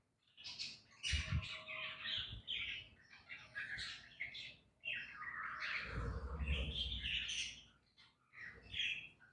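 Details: Budgie chicks in a breeding colony setup keep up a rapid, raspy chirping and squawking chatter in several overlapping bursts, with brief quiet gaps and low bumping noises in the background.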